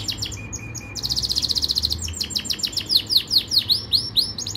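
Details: Yorkshire canary song for training: sharp chips, a dense fast trill, then a series of loud downslurred sweeping whistles repeated about twice a second.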